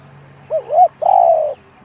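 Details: Cooing spotted dove, 'one-kook big voice' style: two quick wavering notes, then one sustained, resonant coo lasting about half a second, over a steady low background hum.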